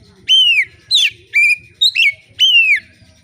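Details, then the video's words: Oriental magpie-robin (kacer) singing relaxed to provoke other magpie-robins into song: clear whistled notes, some slurred downward, others rising, about five phrases in three seconds, with faint low background hum. "kacer gacor ngeplong santai, sangat cocok memancing kacer lain bunyi dan gacor"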